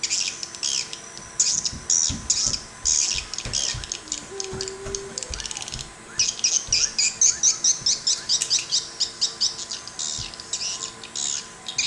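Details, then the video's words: Swiftlets recorded in Sabah: long runs of sharp, high chirps and buzzy twitters, faster and more clipped in the second half, with a brief low tone and a constant background hum. "HY Crystal Swiftlet sound"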